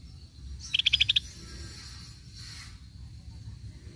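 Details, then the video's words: Cream-vented bulbul for luring: one short rattled phrase of about seven sharp, rapid pulses, followed by a faint breathy rustle and steady low background noise. "Pancingan Bunyi cucak bersisik"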